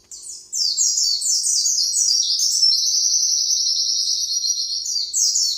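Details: White-eye (pleci) in long 'nembak' song style, a training recording for other birds: opens with a series of sharp descending slurred notes, then runs into a dense, high, buzzy trill that continues steadily to the end.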